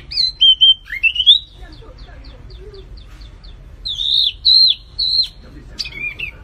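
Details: Flamboyan bird uttering a few high whistled phrases with slurred notes, a pause filled with faint ticking, then longer wavering whistles and a sharp closing note.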